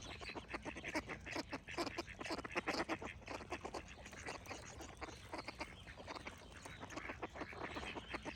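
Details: Ducks quacking together in a busy flock: rapid, harsh, nasal quacks tumble over one another with barely a pause, loudest in the middle seconds. Softer songbirds sing faintly behind them.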